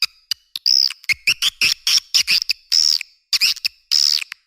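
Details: Swiftlets heard as short high chirps and thin whistled notes, some bending upward, mixed with quick clicks in an uneven rhythm.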